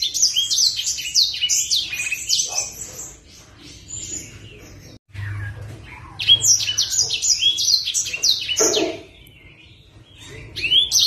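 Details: An owned sunbird called blacksang, singing energetically as a master bird, delivers two long runs of rapid, squeaky high twitters and slurred whistles separated by quieter gaps, with a low background hum.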